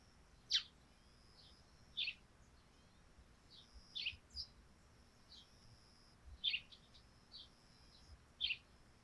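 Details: Morning dew on a thatched roof with sparrows calling: sharp single chirps, spaced roughly every one to two seconds, some in quick pairs, over a quiet, hissy background.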